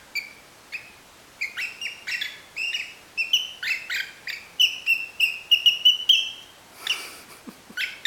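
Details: A tame female cockatiel whistles a series of clear, repeated notes to a tune, singing to her favourite person while raising her rear, which her owner takes as an attempt to mate.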